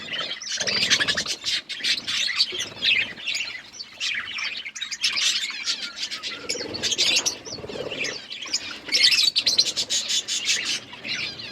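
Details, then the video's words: Colour budgies produce lively, nonstop twittering: clusters of high chirps and warbled phrases rising and falling in loudness over several seconds. "Beautiful budgies colour budgies chirping sounds"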